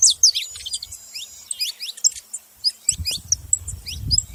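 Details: Saffron finch giving sharp, high chirps and squeaky notes spaced irregularly, with a strong low rumble or handling noise during the final second and a half.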